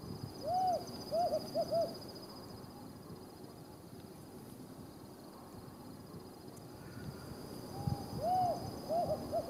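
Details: Calling Desert Tawny Owl pair, remote Judean Desert in Israel, recorded during a bird race: two phrases, each a drawn-out hoot followed by three short clipped hoots, separated by several seconds of quiet hiss.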